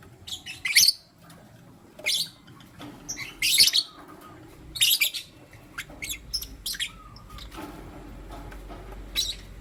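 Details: Morning lutino lovebirds, one male picking between two females: loud, shrill chirp bursts about every one to two seconds, fading to softer, scattered chirps toward the end.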